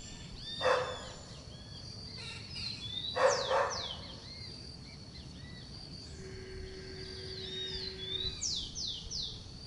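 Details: Flock of Scaly-headed parrots (Pionus maximiliani) perched in garden eucalyptus trees: two harsh, grating squawks about two and a half seconds apart, over busy high chirps and downslurred whistles from other birds and a brief steady hum.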